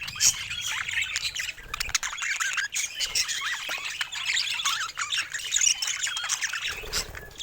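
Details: Budgerigars twitter and warble in dense, overlapping chatter, with occasional sharper squawky notes and brief dips in loudness.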